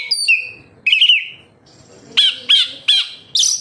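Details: Oriental magpie-robin (kacer) singing, played as a lure for captive birds: a downslurred whistle, a short warbled phrase, then four loud clipped whistled notes spaced about a third of a second apart.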